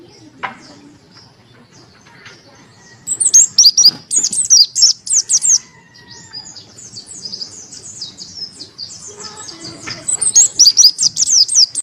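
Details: Monty white-eye with a crystal-clear voice, used as a tutor and to prompt lazy birds to sing: bursts of very high, rapid twittering trills, about four notes a second, separated by quieter chips and faint background rustling.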